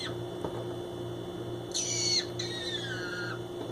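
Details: Pet male green-cheeked conure investigating empty boxes indoors, uttering his signature discovery noise: one bright call that sweeps down in pitch, then a second gliding, descending note, with a soft tap and a constant electrical hum.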